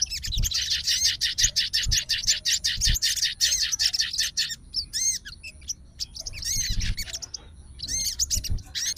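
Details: Caged sooty-headed bulbul fighter, aroused and calling to a rival. It opens with a long, steady, quick-fire stream of high chattering notes, then shifts to scattered arched whistles and short chirps.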